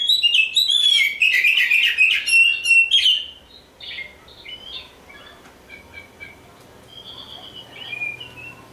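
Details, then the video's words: An Oriental magpie-robin (black kacer), a contest-champion candidate, sings a rich, varied run of loud whistles and chattering notes for three seconds, followed by softer scattered whistles. "Nyanyian si "Kacer Hitam"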